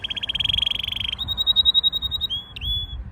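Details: Canary song recorded under wisteria flowers in Nara Park, Japan: a buzzy pulsed trill, then a clear level whistled tone and a short dipping whistle, against quiet low background noise.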